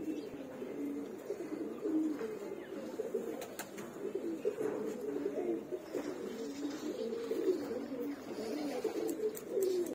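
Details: Giribaz pigeons, a flying pigeon breed, kept indoors, giving low, soft, rolling coos that overlap continuously from several birds, with a few faint clicks and taps in the room.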